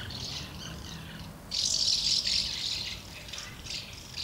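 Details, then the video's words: House martins gather at two nests, recorded 24 August 2012, amid brief scuffles, feeding and fledging flights: busy overlapping bursts of high, scratchy twittering, loudest in the middle, over a soft low background rumble. "Schwalben Versammlung am Nest"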